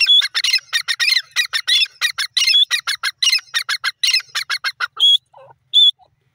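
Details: Grey francolin (bhora teetar) calling in a rapid series of harsh, ringing notes, each with a bright whistled core. About twenty bursts pack the first five seconds, then two isolated whistled notes follow after a pause, on a clean, quiet background.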